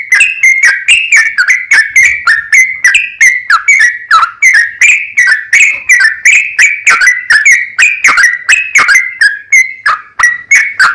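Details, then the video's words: Long, fast 'ropel panjang' song of a sooty-headed bulbul, used as a lure for other bulbuls. Short, sharp, liquid whistled notes come in a steady, nearly unbroken chatter, a little over three per second. "TRUCUKAN GACOR ROPEL PANJANG"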